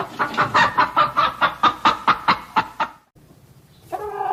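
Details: A hen gives a steady run of about a dozen evenly spaced clucks, roughly two per second, then a pause and a short harmonic call at the end.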